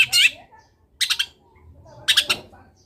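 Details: Long-tailed shrike from a masteran recording of a chatty bird rich in mimicked wild-bird phrases: three harsh, rasping bursts about one second apart, each a quick stutter of notes, over low murmuring background noise.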